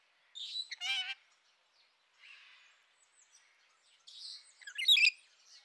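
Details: Rainbow lorikeets calling: a harsh, buzzy burst followed by a shrill, wavering screech, a quiet gap with soft raspy chatter, then a dense cluster of piercing, grating screeches near the end.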